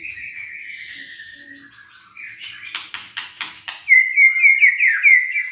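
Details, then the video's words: White-rumped shama song used to provoke lazy, quiet birds into singing: a long slurred whistle, a burst of sharp broadband notes, then rapid repeated high whistled phrases. "PANCINGAN EMOSI MURAI BATU LOYO DAN MALES BUNYI"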